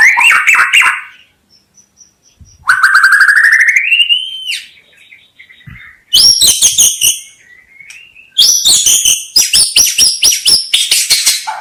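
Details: White-rumped shama song, used for luring birds: a burst of quick notes, then a long rising slurred whistle, followed by dense runs of sharp, rapid, chattering notes with high ringing overtones, loud and clear with no other sound.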